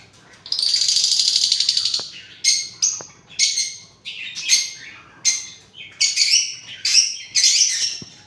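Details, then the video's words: Parrot opening with a long buzzy screech, then a string of short, harsh squawks roughly every half second. "Parrots original sound video"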